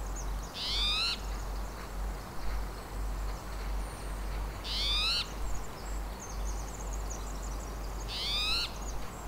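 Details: A Spotted Towhee at the Squamish River Estuary gives three raspy, rising, cat-like mews, each about half a second long and roughly four seconds apart, over a low steady rumble.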